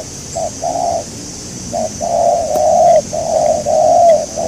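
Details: Spotted dove recorded while trapping doves, with a local wild bird as the target. It gives hollow, steady coos in short and longer notes, about one per second, over a faint high hiss.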